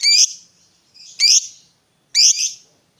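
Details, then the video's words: High, shrill lovebird chirps, from a competition fighter bird meant to spur a reluctant lovebird to sing; three harsh squeaks at about one-second intervals over a quiet background. "Pancingan Suara Lovebird Gacor Fighter"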